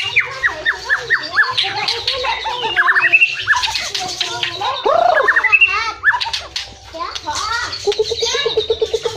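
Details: White-rumped shama from Cilacap, Indonesia, singing in the fast 'muntah beling' style: a dense, varied run of sharp rising and falling whistles, chattering notes and harsh squawky phrases, with a low hum behind.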